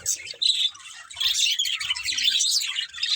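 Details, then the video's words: Budgies chirp and squawk in quick, uneven bursts, high scratchy notes tumbling over one another after a brief lull. "Cute Budgies Chirping Sounds"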